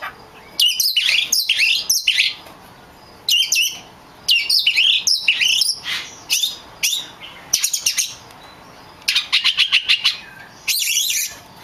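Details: Oriental magpie-robin song for provoking other magpie-robins: short separate bursts of shrill, rattling and whistled notes every second or so, with clear silent gaps between phrases.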